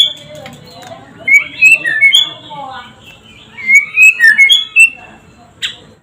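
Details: White-rumped shama (murai batu) in full 'gacor' song: loud, rich whistled phrases with slurred rising and falling notes, delivered in two lively bursts, over a faint low murmur.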